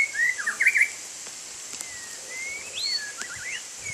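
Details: White-rumped shama in the rain giving a few sparse, pure sliding whistles, one loud warbled phrase at the start, then long thin glides, over soft rain noise.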